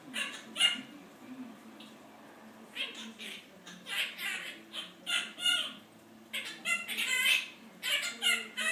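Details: Pet Quaker (monk) parakeet mimicking overheard human speech, apparently its owner's complaints about work, in irregular bursts of harsh, speech-like chatter and squawks, a few bark-like, with short pauses between phrases.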